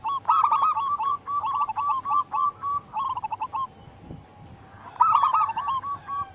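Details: Zebra dove of local wild stock singing steadily as lure audio. Dense rolling trills and clipped cooing notes in repeated phrases, a short lull, then a fresh loud trill burst.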